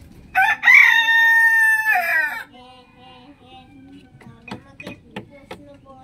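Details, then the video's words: Morning crowing from a rooster: a loud crow of about two seconds with a short lead-in note, then quieter clucks and sharp clicking or knocking sounds in the background. "Beautiful Rooster Crowing in the morning"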